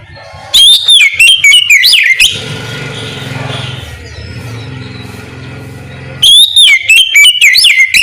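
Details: Morning ngeplong song of an Oriental magpie-robin, meant to lure others into replying: two bursts of loud, rapidly varied whistles separated by several seconds of engine rumble.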